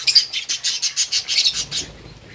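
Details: Lovebirds feeding on green food make a quick series of about ten bright, high chirps, evenly spaced, fading out after one and a half seconds into quiet background rustle.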